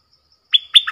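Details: Short clear song fragment from a red-whiskered bulbul, a lure-style 'double' song: two bright whistled notes, the second sliding into a lower twisting note, crisp and loud against silence.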